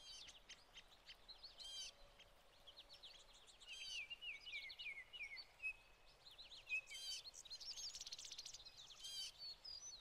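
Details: American goldfinches in summer plumage with some pine siskins feeding on sunflower hearts at a feeder in spring 2020: twittering, high finch chatter with rising and falling notes, mixed with buzzy, rising wheezes.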